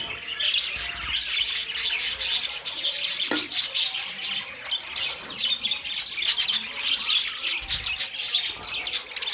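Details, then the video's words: Budgerigars, several birds, keep up dense, continuous high chirping and warbling chatter with overlapping squeaky notes and brief squawks throughout, a low thump near three seconds. "Beautiful Budgie Beautiful Budgies Parrot Talking"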